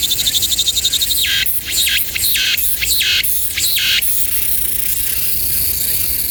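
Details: Magpie in a territorial fight, recorded 14 August 2024: about three seconds of harsh, broadband chattering bursts in quick succession, set over a steady, dense pulsing chorus of crickets.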